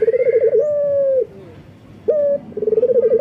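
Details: A local collared dove male in breeding condition calls females. A rolling trill runs into a drawn-out, even coo that drops off, then after a pause comes a short note and another trill.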